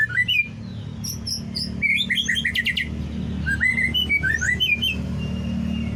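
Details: White-rumped shama (murai batu) singing a provoking 'cess plengg' style song: looping whistles and fast high chips in two bursts, with steady low hum behind.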